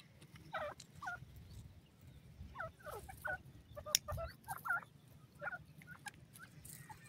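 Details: Black francolin chicks in Pakistan give short, thin, high peeping notes, some bending downward, scattered irregularly every half second or so, over a low steady hum and occasional knocks.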